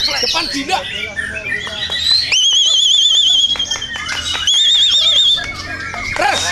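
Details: White-rumped shama song as contest training material: a long, high, rapidly warbling wavering whistle held for about a second and repeated, preceded and followed by sharp clicks and varied chirps, over a faint low hum.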